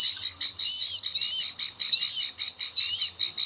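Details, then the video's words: Bar-winged prinia clicking call from paddy fields, a trapping lure: sharp high 'klik' notes strung in quick pulsing bursts, about three per second, clean and loud. "SUARA AMPUH PIKAT CIBLEK KLIK-KLIK/SAWAH"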